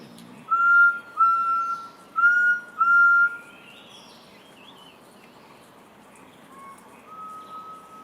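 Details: Forest quail whistling: four clear, level, pure whistles, each about half a second long and under a second apart, followed by fainter softer whistles against a faint hiss.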